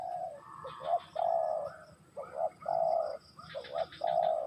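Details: Spotted dove (tekukur) song: repeated phrases of short lead-in notes followed by a long, smooth low coo, about one phrase per second, with light chirping of other birds overhead.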